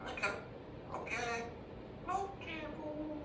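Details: A baby African grey parrot, kept as a pet indoors, chatters in the afternoon: short harmonic, speech-like bursts rising and falling, some sharp and bright, with a person speaking nearby.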